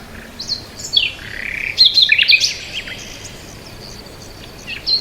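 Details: Bird chirping with a whistled rising note followed by a quick cluster of sharp high chirps, then quiet, and a final short chirp at the end.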